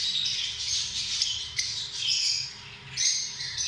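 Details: Lovebirds making harsh, high squawks and chattering notes that blend into a shrill wash, louder around the middle and end, with a faint steady hum behind.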